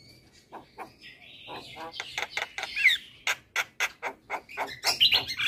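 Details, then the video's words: Very vocal Javan myna in a training recording played each morning for unschooled birds. It opens with soft notes and a drawn-out buzzy wheeze, then a steady run of loud, harsh chattering rasps with squeaky whistles. "Masteran Jalak kebo Super Gacor Rutin Putarkan Setiap pagi Untuk Jalak Kebo Bahan"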